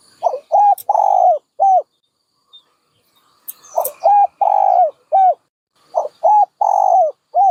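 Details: Dove cooing in two phrases separated by a pause: each a short arched hoot, a long slightly rippling coo, then a clipped closing note, low and mellow, with faint high chirps from other birds.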